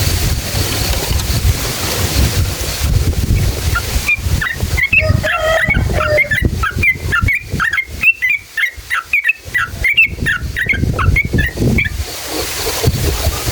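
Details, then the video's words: Sooty-headed bulbul in full, long-running song meant to stir other bulbuls to sing; a fast burst of varied chirps and slurred notes fills the middle section over steady background hiss. "SUARA trucukan gacor JITU NGALAS ROPEL PANJANG buat PANCINGAN agar burung trucuk gacor EMOSI"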